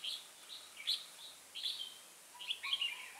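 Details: Red-whiskered bulbul decoy used in trapping, singing a fighting song: short warbled, slurred phrases in quick clusters separated by brief gaps, with a low hum behind.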